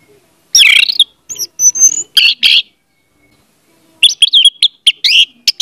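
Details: Orange-headed thrush song used as a lure to make a silent bird sing: loud buzzy and whistled notes in a varied phrase, a pause, then a fast run of mixed sweet and harsh notes.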